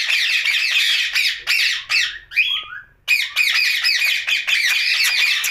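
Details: Pet rose-ringed parakeet talking at night indoors; rapid harsh squawky chatter and mimicked syllables, a brief warbled phrase midway, then dense repeated grating notes.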